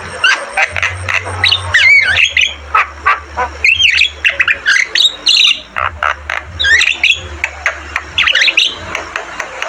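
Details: Javan myna, locally jalak kebo, in a long varied song of harsh squawks, whistled slurs and chattering notes delivered in uneven bursts, with a faint low hum in places.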